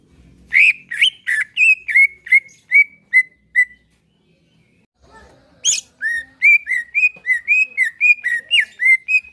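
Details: Caged-bird prompting song of the greater green leafbird in relaxed style: a burst of descending whistles fading into steady level notes, a silent gap of about two seconds, then a second lively string of whistles.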